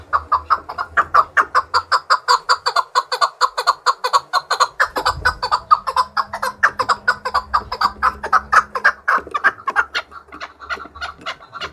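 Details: A trained fighting male chukar partridge gives a loud, rapid, clucking chuck-chuck series, several notes a second, building and repeating steadily; a low hum in the background.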